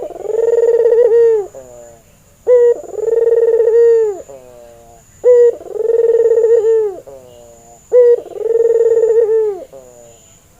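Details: Red-eyed white albino Barbary dove, a male in breeding condition, calling as a training lure. Four coos at steady intervals of about two and a half seconds. Each has a clipped first note and a drawn-out, purring, level second note.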